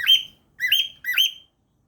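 A cockatiel gives three shrill, rising whistled calls in quick succession.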